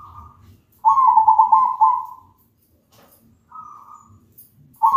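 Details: Zebra dove (perkutut) song played as a lure to make other zebra doves sing loudly: a long rapid trilled coo lasting over a second, then a short trilled phrase after a pause, and another starting at the end.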